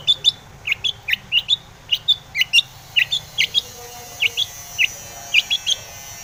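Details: Long-tailed shrike song used as a lure for other shrikes: crisp short chirps repeated roughly twice a second, each a quick upward flick, in a steady string.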